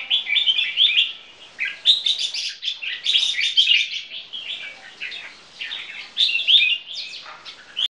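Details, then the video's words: Display singing by a pair of caged bulbul crossbreeds from champion lines, Red-whiskered Bulbul among their ancestry; lively run of sweet, varied whistled and chattered notes, nearly unbroken for eight seconds. "Jambul Keke Display"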